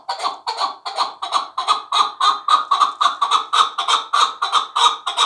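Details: Steady, fast chukar rally of hoarse chuck-chuck notes, roughly three and a half per second, from a young fighting partridge hatched last year, evenly paced throughout.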